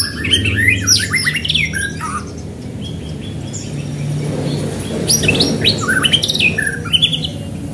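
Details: White-rumped shama singing fast to provoke other shamas: rapid varied whistles and chattering phrases in two loud bursts, separated by a quieter stretch with sparse notes, over a constant low hum.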